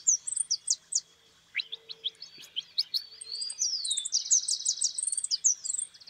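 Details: White goldfinch, described as 'suelto', delivering a varied song of 'golpeo' and 'pitos' phrases: clear chirps, a rising whistled slur, tinkling notes and a dense buzzy trill, all high and quick.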